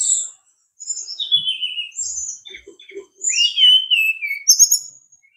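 High, thin whistled phrases from a brown-chested jungle flycatcher, sliding downward and rising, delivered in short bursts with brief pauses; a few soft low notes beneath.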